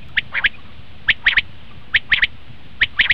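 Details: Common quail call used to lure quail for hunting: crisp three-note phrases, a sharp first note then a quick doubled pair, repeated roughly every second against a quiet, slightly hissy background.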